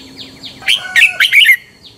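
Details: Red-whiskered bulbul fighting song for morning training: a single fast phrase of loud slurred warbles, preceded and followed by faint thin falling chirps.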